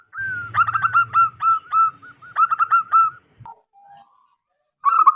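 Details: Local wild zebra dove calling loudly, used for trapping lures: a long rattling phrase of quick staccato coos over a faint low hum, a brief pause, then the start of another burst.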